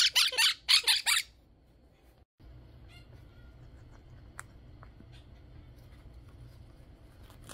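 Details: A male monk (Quaker) parakeet playing with and shredding tissue paper gives four loud, harsh squawks in quick succession, then goes quiet apart from faint clicks and rustling in a small room.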